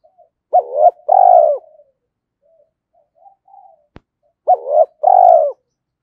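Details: Spotted dove cooing, used to rouse decoy birds, in the 'giọng thổ' style: two phrases of double hoots leading into a long mellow coo, with soft low murmurs and a single click between them.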